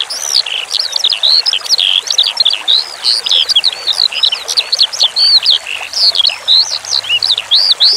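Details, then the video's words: Skylark (branjangan) song used as a training recording for cage birds: a continuous, rapid, high warble of varied chirps, slurred whistles and trills with barely a pause, over a faint steady background hiss. "Masteran Suara Branjangan Sky Lark"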